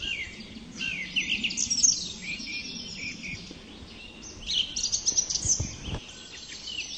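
A thrush sings in two bursts of varied, high, fluty and chirping phrases with a short pause between them, over a low background rumble.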